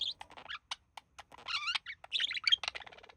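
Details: Budgie pair at rest indoors, the male copying human speech; loud, clear burst of whistled, gliding syllables and sharp clicks, speech-like in rhythm.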